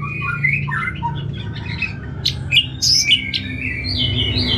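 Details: Orange-headed thrush (anis merah) from Singaraja, North Bali, singing in bursts of varied short whistles and chattering notes, shifting up and down in pitch. A steady low hum runs underneath.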